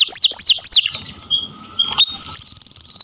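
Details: Captive canary gives three quick downward-swept whistles, a pause with soft notes, then a rapid high pulsed trill.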